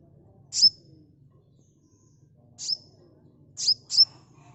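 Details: Sunbird calling, a recording meant as a lure for quick response: four piercing high chips with a tiny whistled tail, the first alone, then three more, the last two close together; soft background hum.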